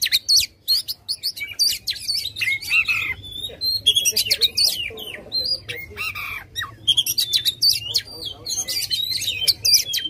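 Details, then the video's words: Aggressive white-rumped shama song used to rouse a quiet bird: dense bursts of harsh squawks, clicks and high slurred whistles, nearly continuous with short pauses, over a steady low hum. "Suara Kacer Gacor agresif buka ekor Ampuh buat bikin kacer males jadi gacor."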